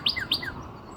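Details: A Northern Cardinal near Nashville, Tennessee, on 17 April 2026 gives two quick, high, downslurred chirps about a quarter second apart, each trailing into a lower slurred note. Faint background hiss.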